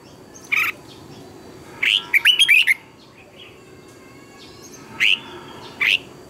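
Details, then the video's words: Red-whiskered bulbul morning training song, used as a lure voice for teaching captive birds; a few isolated bright chirps, then a quick burst of five or six sharp notes, with long quiet gaps between. "Luyện chào mào hót sáng hay nhất, Ép chào mào hót âm kép xoắn hay tuyệt, luyện chào mào hót căng lửa"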